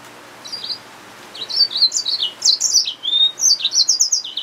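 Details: After a faint opening note, a hybrid finch, the yellow-fronted canary mule, launches into a rapid, high-pitched twittering song of quick slurred chirps that grows louder and denser toward the end.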